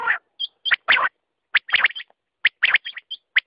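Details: Quail producing loud, rough squawking chirps alternating with brief ringing whistles, spaced irregularly across a few seconds.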